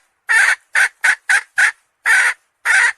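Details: Hen calling in short, raspy, broadband clucks, seven of them spaced unevenly over about three seconds, with brief silences between.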